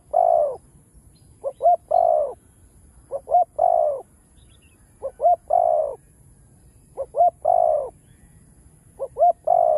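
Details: Spotted dove, known locally as cu đất, singing its full cooing song of chiêu, thúc and gù to trigger newly caught doves; five even phrases, each two clipped hoots followed by a longer low coo.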